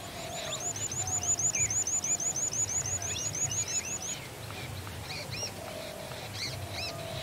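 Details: A Jerdon's bush lark sings its type 2 song, a rapid run of high, thin upslurred notes about three a second, then scattered chirps, over a low hum of wind or traffic.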